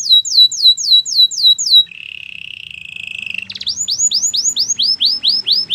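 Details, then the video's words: Belgian canary singing for training: quick repeated downward-curving whistles, a steady low rolling trill, then another run of bright swept notes, regular and loud. "The most popular canary training!! Your belgian canary will sing a lot"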